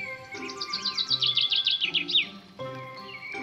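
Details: Common chaffinch singing at a garden feeding site in Goch, a rapid descending series of bright chirping notes accelerating into a final flourish, over a steady hum and faint background tones.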